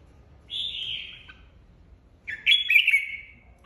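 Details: Singing contest by a red-whiskered bulbul that leads a flock and was just separated from its aviary: a drawn-out, gently falling whistle, then after a pause a loud, rich, trilling phrase that fades away.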